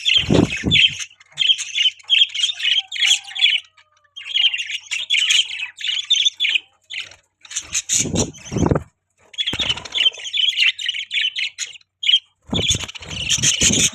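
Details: Long bouts of squawky, warbling budgie chatter run for several seconds at a time, broken by short pauses and a few low thuds or bumps.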